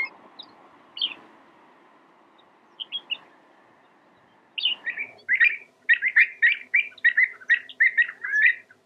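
Marsh sandpiper giving a few scattered sharp high notes, then a quick run of about a dozen clipped, yelping calls, over a low background hum.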